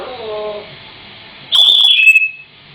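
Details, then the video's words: Pet African grey parrot singing indoors: a faint low tonal sound at the start, then one loud, high whistle that wobbles briefly and drops in pitch. "African Grey Parrot Singing"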